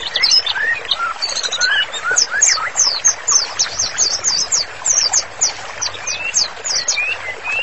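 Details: White-rumped shama in vigorous, continuous song on master material: a busy series of high, sharp down-slurred notes mixed with lower rising whistles that recur toward the end.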